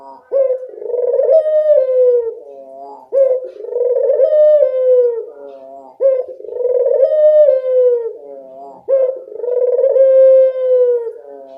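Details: Kept Barbary dove in full voice, played to prompt reluctant doves to call: rolling, drawn-out coos repeated about every three seconds, each opening with a sharp catch and sliding gently downward, four in a row.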